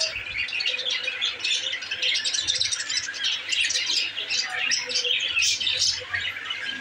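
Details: Budgerigars kept as pets, happy in their new cage, warble and chatter nonstop, a dense mix of scratchy, twittering and squeaky notes over a faint steady indoor hum.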